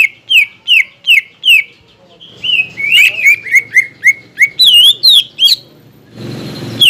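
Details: Lure song of a captive greater green leafbird, played to make contest birds fight and sing: repeated bright whistled notes about every third of a second, then a faster run of similar whistles, ending in a burst of noise.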